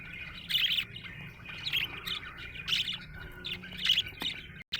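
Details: Budgerigar chirping happily: bright squawky chirps in bursts about once a second over a continuous soft warble, ending abruptly.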